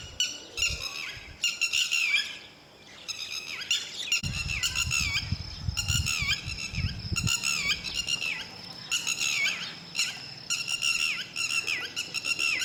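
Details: Lapwings guarding their chicks constantly until they can fly. They give a long series of loud, harsh, ringing call bursts with brief gaps, while a low rumbling noise rises in the middle.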